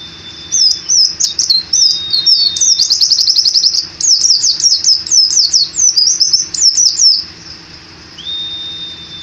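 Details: White-eye (Zosterops), a caged songbird in Indonesia, in 'gacor ngalas ngeroll' rolling song style, singing with open beak: fast, high twittering runs of repeated chirps and trills, almost unbroken for seven seconds. A thin steady whistle sounds before and after, with a faint low hum.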